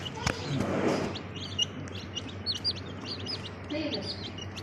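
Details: Colourful little chicks of a US breed, high thin peeps sliding downward, repeated in quick irregular bursts, with a brief human voice and a thump near the start.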